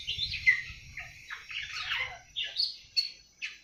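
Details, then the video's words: Seven-month-old awar-awar bird starting to sing (ngriwik): scattered high chirps and short twittering notes in uneven bursts, with a soft low rumble beneath. "Burung awar awar 7 bulan mulai ngriwik"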